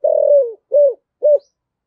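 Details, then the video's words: Spotted dove 'giọng thổ' coo used as a lure for wild doves. One long, slightly wavering note slides downward, followed by two short, evenly spaced hollow coos. "cu gáy giọng thổ giọng hay/ tiếng chim cu gáy kích bổi nhanh nổi"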